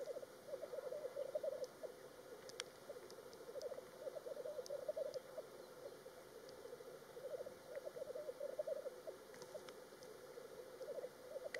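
Black grouse bubbling at a lek: a continuous low, dove-like rookooing that rolls on in overlapping surges, with occasional sharp higher hisses and clicks.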